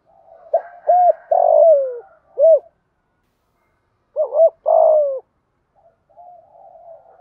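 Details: Spotted dove, a cage bird, coos in 'thúc gù' style with 'giọng thổ' voice. Paired low hoots lead into a long, burry coo that falls in pitch, then a quick double note and a second rough coo. Faint murmur follows.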